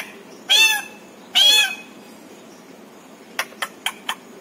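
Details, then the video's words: Household pet parrot utters two loud, rough, nasal syllables, then a quiet pause and four quick dry clicks. "छोटू मिट्ठू की प्यारी बातें"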